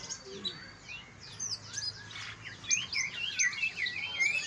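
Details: Greater green leafbirds of Kalimantan and Banyuwangi types, singing to stimulate untrained leafbirds into frequent song: a dense, fast tangle of high chirps, twitters and short whistled slurs, building louder toward the end.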